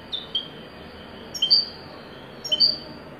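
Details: European goldfinch of the wedani song style giving thin, high, clipped chirps, first soft then louder paired notes roughly a second apart, over faint background hiss.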